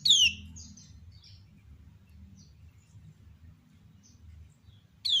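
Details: Female lemon-bellied white-eye (kecial kuning) calling to draw out other kecial: one sharp falling chirp, then several seconds of faint scattered twitters from answering birds, and another strong chirp at the end.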